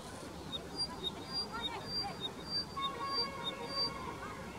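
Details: Upland pipit (Anthus sylvanus) at Ukhimath, Uttarakhand, India, in May 2016 gives thin, high, short whistled notes, repeated about every half second, over a steady rushing background noise.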